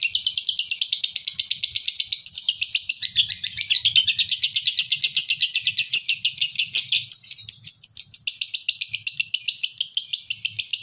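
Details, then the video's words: A male fighter lovebird chatters without pause as a lure for other lovebirds: a dense, fast stream of shrill, raspy notes that shifts pitch slightly every few seconds, with faint low rumbling underneath. "pancingan lovebird jantan fighter"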